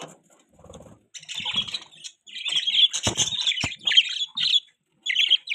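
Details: Caged pet budgies give soft low mutters, then loud scratchy warbled chirps with a couple of sharp clicks, ending in short bright bursts.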